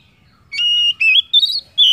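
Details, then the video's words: Oriental magpie-robin song used as a lure to stimulate other birds to sing: clear whistled notes, a steady held tone followed by short rising and warbled phrases climbing higher, with brief silent gaps. "PANCINGAN KACER AMPUH!"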